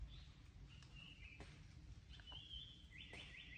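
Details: On Mount Rokko in Japan on 31 May 2022, a Japanese paradise flycatcher gives long level whistles followed by a fast burst of repeated descending notes, with low background hum beneath.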